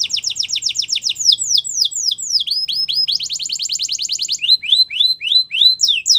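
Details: Canary song aimed at stimulating canaries: continuous tours of repeated syllables, with fast falling chirps, a rapid even rattle, and then slower rising and falling whistled notes, all high and bright.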